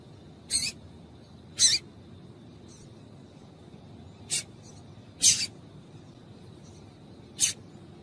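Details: Female double-collared seedeater giving calls meant to excite males and get them singing: five short, sharp high chirps spaced about one to two seconds apart over a faint steady hiss.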